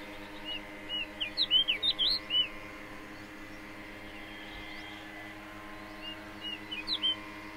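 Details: Juvenile pied bushchat singing at Dhanauri Wetlands, Greater Noida, India, on 21 June 2019: a quiet burst of short, quick, high twittering notes, then a brief second phrase near the end, over a steady low hum.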